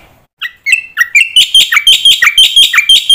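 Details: Black-winged myna master song played to train young mynas to pick up song phrases: buzzy, harmonic notes repeated about twice a second, climbing from lower opening notes into a steady, bright series.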